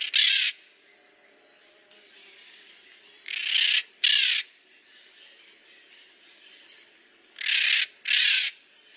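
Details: Noisy maritaca, a Pionus parrot, giving harsh grating screeches in pairs roughly every few seconds, each burst broad and raspy, separated by quiet stretches with a steady faint high-pitched background hiss.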